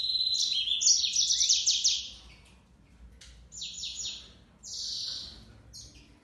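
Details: Yellow-fronted canary song: an opening rush of fast high trills and a downward slur, followed by sparse, separate buzzy notes with pauses between.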